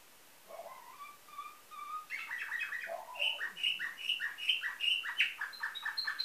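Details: Nightingale-song canary from a Bulgarian breeder in Varna, 2013: soft low whistles rising into fast chopped repeated notes and bright high pips, a varied rolling phrase.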